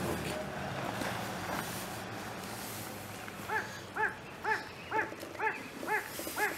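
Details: A satyr tragopan in Bhutan, at 4,200 m or higher, on 17 April 2024, gives eight short, arched, nasal notes about twice a second after three seconds of low rumbling background noise.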